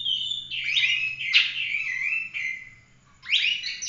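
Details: Oriental magpie-robin in full-roll 'tembak' singing, used to train other birds. Rich warbling whistles with an explosive high note are followed by a falling slur. A short quiet gap comes before another burst of bright notes.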